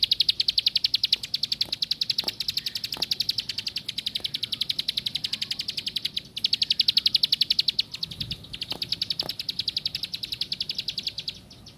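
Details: A long plain prinia performance of high, dry, rapidly repeated ticks in several phrases separated by short breaks, with faint vehicle-like rumble in the background.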